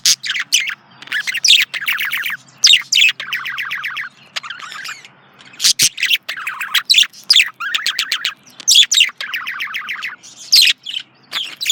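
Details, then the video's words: Lively warbling from a male budgerigar: fast runs of buzzy, harmonic chirps in repeated bursts, separated by short gaps and punctuated by sharp clicks, continuing throughout. "Male Budgie/Parakeet Chirping"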